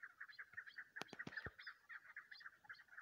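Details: Female chukar, used for hunting: a steady series of short clucking notes repeated rapidly, each note a brief mid-pitched burst, with several sharp clicks or knocks in the middle.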